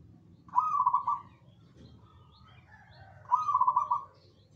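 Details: Zebra dove in full song, with other birds joining in and answering. Two loud trilled coo phrases, with fainter coos from other doves between them, over a low background hum.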